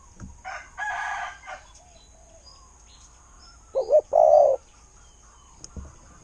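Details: Spotted dove kept as a decoy bird with a praised voice. After some brief rustling and chirpy noise, it delivers one clear coo phrase: two short hoots, then a drawn-out mellow note.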